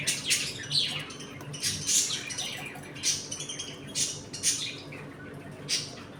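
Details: Pet budgerigars in a home colony during feeding and play time; short harsh chirps and squawky bursts recur every second or so, with a steady low hum underneath.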